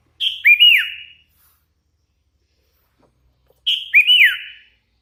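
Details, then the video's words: Sooty-headed bulbul, hand-raised and in lively voice, delivering two identical whistled phrases about three seconds apart: a sharp opening note, then looping rising and falling slurs. "Suara ASLI kutilang LOLOHAN GACOR"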